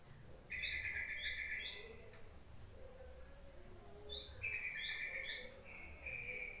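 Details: Yellow-vented bulbul call meant to lure reluctant bulbuls into singing: two bursts of rapid bubbly chattering, each opened by short rising notes, over steady low background hiss.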